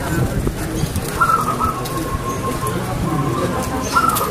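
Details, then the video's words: Zebra dove (perkutut, local bird) in full song: a clear high note, then a run of lower evenly spaced cooing beads, ending with another bright high phrase, against a low rumbling background hiss. "PERKUTUT GACOR SUARA KRISTAL"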